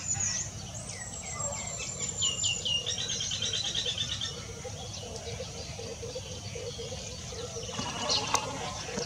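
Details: Grey parrot giving a quick run of clear, falling whistles, then softer chatter, over a steady low hum and background murmur, recorded 21 February 2019.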